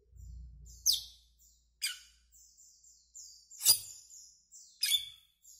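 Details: Asian glossy starling, a greenish black bird, uttering sharp descending squeaks spaced about a second apart, each a high metallic chip with thin whistled tails between them; faint low rumble at the start.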